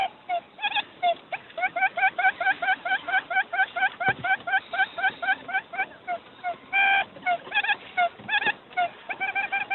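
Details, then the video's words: Quail lure call: a fast, insistent series of short nasal notes repeated about twice a second, with a few longer, louder notes and occasional clicks. "tiếng chim cút mồi chuẩn 99%"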